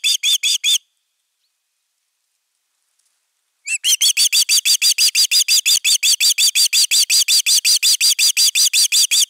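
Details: Osprey defending the nest, 31 August 2021: a short run of shrill whistles, roughly three seconds of quiet, then a long sustained series of sharp, evenly spaced piping notes.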